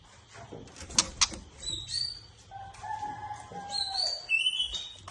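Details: White-rumped shama song: a few sharp clicks, then long level whistles on a low note, followed by high, thin whistled notes rising and falling.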